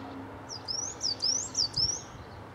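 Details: Mistle thrush from a family of three juveniles and two parents visiting a garden: a quick series of about six thin, high, upslurred whistled notes, closely spaced over roughly one and a half seconds, against a low steady background hum.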